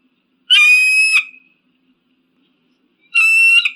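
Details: Eagle screams meant to deter crows and pigeons: two long, piercing, strongly ringing cries, the first trailing into a fading tail, separated by about two seconds of silence.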